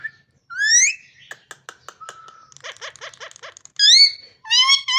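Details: Parrot voice: a rising whistle, then a stretch of soft clicks and faint repeated chirps, ending with two loud bright upslurred whistles rich in overtones.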